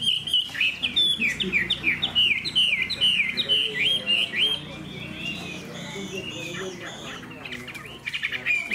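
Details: Spirited caged Hwamei with a spread tail delivers a fast series of repeated, clear, downslurred whistles, then shifts into higher, looser warbled notes, with a steady low hum underneath.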